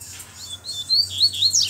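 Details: Black male double-collared seedeater calling another male to fight: a quick string of high, thin whistled slurs, rising and falling, growing louder toward the end.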